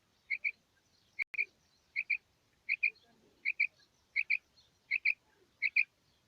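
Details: Morning calls of a female quail (batair), played as a hunting lure: sharp twin chirps, high and clean, repeating steadily about every 0.7 seconds, with one brief click near the start.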